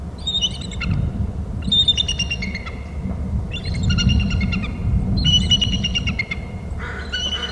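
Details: On Hornby Island a pair of eagles call at their nest territory: four clear bouts of high, ringing, whistled chattering with stacked tones, each about a second long and separated by short pauses, over a low rumble.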